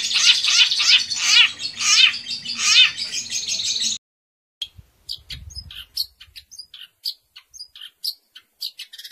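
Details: Indonesian cendet (long-tailed shrike) kept by a songbird hobbyist, singing competition mimicry material; loud dense scratchy warbling for four seconds, then after a pause scattered short high chips and clicks.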